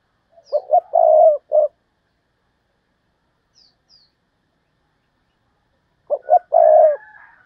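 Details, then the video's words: Decoy spotted dove calling in the urging 'thúc bổi' style to lure wild doves. Two low cooing phrases about five seconds apart, each a few short clipped coos and then a longer drawn-out coo. Faint high chirps are heard between them. "tiếng cu mồi thúc bổi, cu gáy mồi cây"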